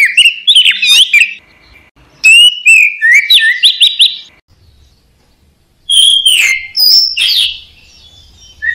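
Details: Orange-headed thrush, kept caged, singing on a songbird training recording: quick sequences of clear whistles and chirps in three bursts, with brief silent gaps in between.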